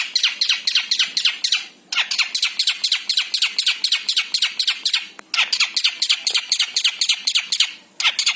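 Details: Long-tailed shrike, Javan form, singing a long fast run of sharp high notes in steady rapid succession, broken by two brief pauses.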